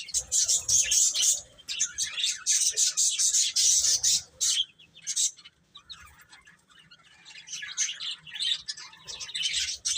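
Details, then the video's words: Chicks eating and playing: loud shrill peeps crowd together for about five seconds, fade to scattered softer chirps, then build again toward the end. "Baby Chicken Chirping Sounds"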